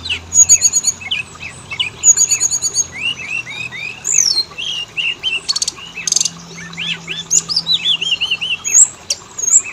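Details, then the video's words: Oriental magpie-robin (kacer) lure song meant to set males and females singing: a continuous medley of rising and falling whistles, fast high trills and crisp chips, densely packed with few gaps. "Pancingan burung Kacer; jantan betina langsung bunyi"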